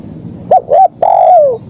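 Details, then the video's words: Spotted dove song in 'kuk 1' style: two short arched coos, then one long drawn-out coo that holds level before sinking in pitch, recorded close with little background. "Suara Burung Kicau Terkukur Gacor KUK 1"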